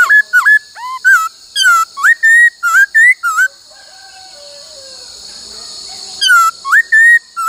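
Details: Laughingthrush trained to sing many voices, including the 'bắt cô trói cột' phrase: rapid runs of loud looping and rising whistled notes, a quieter stretch with soft lower sliding whistles, then the bright whistling resumes over steady hiss.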